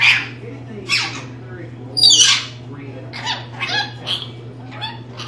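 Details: Talking pet rainbow lorikeet, a female, indoors: loud raspy squawk-like words, one strong burst followed by a string of quicker, softer chattering syllables, all over a low steady hum.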